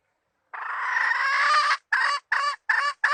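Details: Decoy hen chicken, 2020 season, used for luring birds into traps: a long, strained, nasal squawk lasting over a second, then four short clipped clucks in quick succession.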